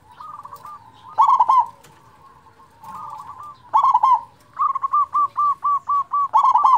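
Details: Big-voiced local perkutut, kept to prompt quiet zebra doves to call: rolling, burry coo phrases repeated every few seconds, ending in a rapid string of about eight evenly spaced clipped coos before another loud rolled phrase.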